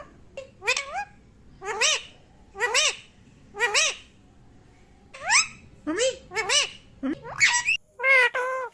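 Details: Talking Mithu parrot repeating a short, voice-like phrase about once a second, each bursting sharp and nasal, with the last few phrases run together more quickly and more loudly.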